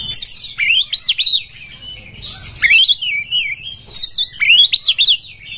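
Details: Oriental magpie-robin in breeding condition, its song offered as a lure to draw and stir other birds: rapid, loud bursts of sweeping whistled notes and chattering trills, high-pitched, in three energetic phrases with brief pauses, no other clear sounds.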